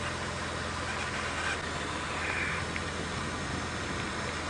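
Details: A vehicle engine idles steadily during a sunset safari drive, a constant broad rumble and hiss with no animal voices standing out.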